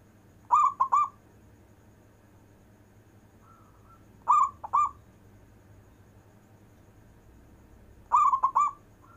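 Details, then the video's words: Local zebra dove singing its long-breath performance song, suited to calling lazy zebra doves: three short bubbling coo phrases spaced about four seconds apart, with a faint soft whistle between, over quiet low hum. "Perkutut lokal istimewa manggung nafas panjang,cocok untuk manggil perkutut malas"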